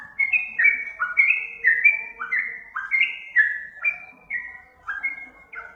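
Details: Master recording of a sooty-headed bulbul for getting caged birds to answer: steady series of clear whistled notes, roughly two per second, each sliding slightly downward, a faint hum beneath.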